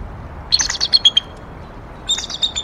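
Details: Bald eagle pair vocalizing on their nest N1 in Decorah around 10:15 am on 18 April 2022 after adding fluff to the nest; two bursts of high, thin, rapid chittering whistles, the second after a short pause.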